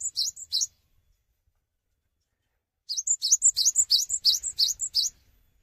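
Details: Gacor Cinereous tit singing in place: a short opening of high two-note phrases, a pause, then a brisk, steady series of the same bright repeated notes at about three per second.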